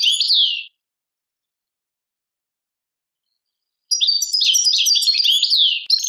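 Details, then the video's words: Goldfinch song of the Algerian tadmait type: a brief liquid twitter with a falling slur, about three seconds of silence, then a dense run of bright tinkling notes, buzzes and trills lasting over two seconds. "chardonneret chant tadmait"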